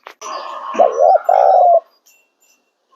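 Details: A single cooing phrase from a spotted dove in near silence: a rough opening note, two short rising coos, then one long, steady drawn-out coo.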